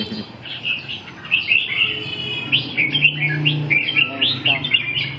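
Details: Red-whiskered bulbul from Bình Định, five seasons old, delivering lively chattering song of quick whistled chirps and slurred notes several times a second, with a faint low hum and brief human voice nearby.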